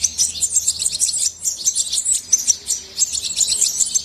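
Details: Goldfinch song as a steady wash of rapid, bright twitters and sharp high notes, overlapping so thickly that it sounds like several voices together.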